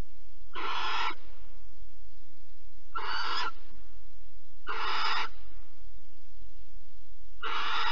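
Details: Four wheezing, hoarse shrieks from a barn owl at Alphen, 15 April 2020, linked to mouse prey transfer and mating, each about half a second long and spaced roughly two seconds apart over a low hum.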